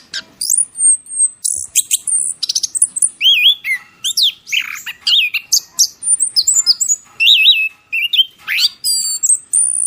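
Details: Masteran training song for cage birds: a varied sequence of sharp high chirps, whistled slurs and looping rising-falling notes, delivered in quick irregular bursts with short gaps.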